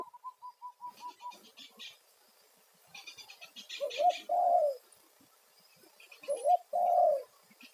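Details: Spotted dove calling as a lure for wild doves. Two mid-pitched cooing phrases, each a brief hooked note and then a longer coo. Behind them, a rapid string of even piping notes opens the recording, and bursts of high chirping from other birds recur throughout.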